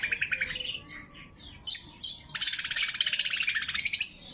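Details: A lesser green leafbird gives its sharp, ringing song, used to lure wild birds and to train captive ones to sing more: mixed chirps and slurred notes, then a long, fast, buzzy trill.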